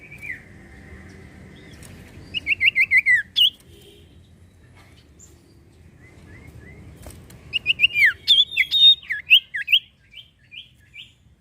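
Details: Iora song used to prompt other birds to sing: two bursts of rapid buzzy warbled notes, the first falling in pitch, the second longer and jumpier, ending in fading single chirps, separated by a quiet gap.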